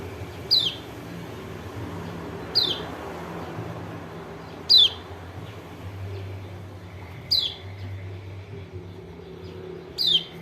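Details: White-eye from Lombok giving its call, played as a lure to make a reluctant bird sing: five short, high, descending notes spaced roughly two seconds apart, somewhat faint against steady low noise.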